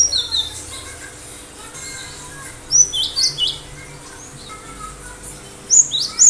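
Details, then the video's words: Cinereous tit singing vigorously: loud, piercing high notes dropping sharply in pitch, three in a row about a third of a second apart, then a similar pair near the end, with softer chirps in between and a low background hiss. "Gelatik batu gacor"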